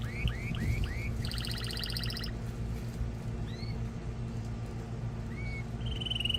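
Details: Male canary song meant to excite a female for mating and to train young birds: quick rising whistled upslurs, then a dry rapid buzzy trill, followed by scattered single whistles over a steady low background hum.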